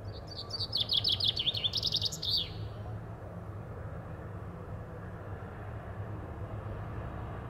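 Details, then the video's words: Chaffinch pausing from feather cleaning to sing one brisk phrase, a fast rattling series of high notes that shifts lower midway and closes with a short flourish, followed by steady low background hum. "Fringilla coelebs / Common chaffinch : cleaning & singing"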